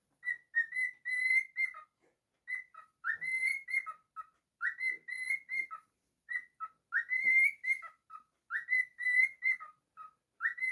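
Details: Happy pet cockatiel whistles its tune, a bright phrase of clipped notes that slides upward and falls to a lower note, repeated again and again with short pauses.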